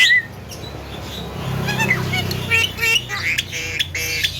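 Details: Javan myna copying heard sounds such as frog, duck, speech and coughing: a brief whistle, then a string of squeaky, nasal repeated notes with rich overtones, over faint background rumble.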